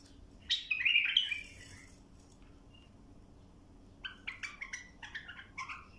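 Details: Bulbul singing as a tutor recording for young birds: a loud burst of warbled, slightly harsh phrases, a pause of about two seconds, then a quicker series of short chirping notes.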